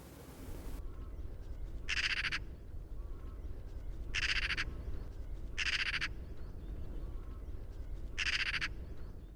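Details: Eurasian magpie (Pica pica) calling in flight: four harsh, rasping bursts about two seconds apart, each roughly half a second long, over a steady low rumble; recorded in Korea.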